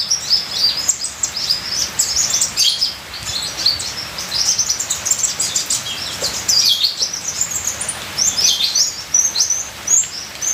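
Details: Ninja sunbird singing an almost continuous stream of shrill, tumbling twitters and sharp chips, some dipping then rising, over a soft rain-like hiss.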